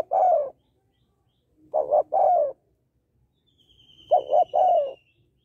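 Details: Female spotted dove calling males: two quick clipped coos then a longer descending coo, given in three spaced bouts, with a faint high whistling tone drifting downward in the background.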